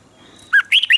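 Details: Thai red-whiskered bulbul kept in a cage, in southern master-style song meant to rouse and teach other birds. Only a brief burst is heard: a low whistle, then two quick, bright, chirpy notes.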